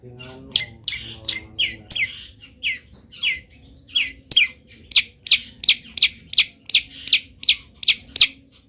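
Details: Local long-tailed shrike singing through its moult with copied wild-bird calls: varied falling whistles at first, then a fast, even run of sharp high chips, against a low humming background at the start.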